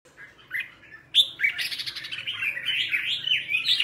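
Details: Red-whiskered bulbul giving its morning song during training to sing the double-note 'già rừng' wild-style song. A few soft notes, then from about one second a loud, continuous bubbly warble of quick chirps and whistled phrases.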